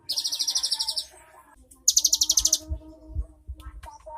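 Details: Cinereous tit, a caged songbird, singing rapid trilled phrases of repeated high notes, one long burst then a brief pause and a second higher trill, with low thumping handling noise and faint clatter.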